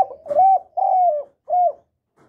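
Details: Spotted dove cooing, a recording meant to lure wild doves: a short lead-in note, then two long, mellow coos sliding slightly downward and a third shorter coo. The phrase is clean, with no other sounds.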